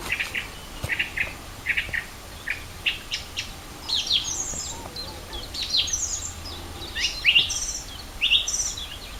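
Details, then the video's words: Spring birdsong at Rogozyanske Reservoir, Kharkiv region, recorded 4 April 2010: several birds chirp together, with short bright notes repeated in quick bursts and higher twittering phrases overlapping them, over faint background noise. "Пение птиц"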